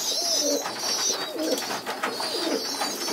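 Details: Young domestic pigeons moved to the floor for group feeding indoors give hoarse, wheezing begging calls, paired with soft low cooing phrases repeated about once a second.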